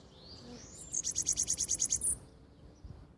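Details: Bananaquit singing in the morning: a very high, thin buzzy trill of about ten rapid sibilant notes lasting one second, ending in a sharp high note, with quiet background noise.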